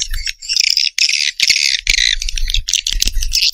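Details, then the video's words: Swiftlets giving a continuous stream of harsh, chattering twitters with frequent quick breaks. A faint low rumble sits underneath. "SUARA WALET MAXIMUM ORIGINAL RESPON WALET LENGKET"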